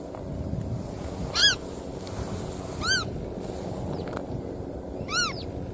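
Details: Black-tailed godwit producing three short, nasal, arched calls spaced about one and a half to two seconds apart, the first loudest, over a quiet, steady background hum.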